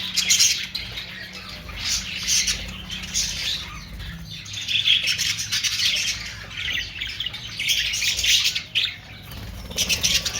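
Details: Budgerigars, called Australian parrots, chattering steadily with dense, scratchy squawks and chirps, bursts of louder noisy calls overlapping throughout with no clear pauses.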